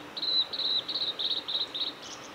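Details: Male blue-and-white flycatcher at Lake Miyagase's Kanazawa forest road, Japan, 17 May 2020, delivers about six short, buzzy, rattling high phrases in steady succession, ending with a softer fuzzy note.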